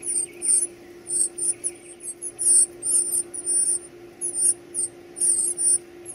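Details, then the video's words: Nestlings begging at feeding time: loud, piercing high squeaks repeated in short groups almost twice a second, over a constant low electrical-sounding hum. "Feeding baby birds"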